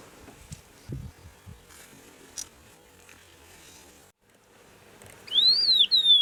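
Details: An Agulhas long-billed lark singing in the Overberg region, the only place it is found, gives a loud, clear slurred whistle that climbs then drops away, followed by a second high note. Faint low thumps of wind come earlier.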